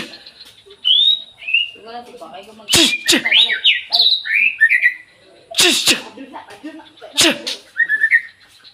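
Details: White-rumped shama dawn song mixing fluting whistled notes with slurred rising and falling phrases and several loud harsh explosive bursts, delivered in lively varied bouts.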